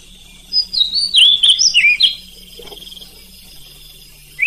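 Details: Night-time oriental magpie-robin song meant to make other magpie-robins answer: a run of loud, varied slurred whistles sweeping up and down, then a softer rapid buzzy trill, and a rising whistle at the end.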